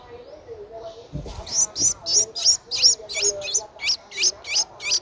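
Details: Ten-day-old Streak-eared Bulbul nestling, eyes open since day seven, Ubon Ratchathani, Thailand, 12 April 2023: after a soft low murmur, a run of sharp high squeaky notes begins, about three per second, steady and insistent.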